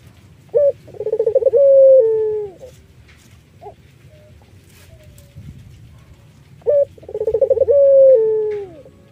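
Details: Iraqi-variety collared dove singing, its voice used to draw in other doves: two phrases about six seconds apart, each a short note, quick pulsed roll and long descending coo, with quiet pauses between.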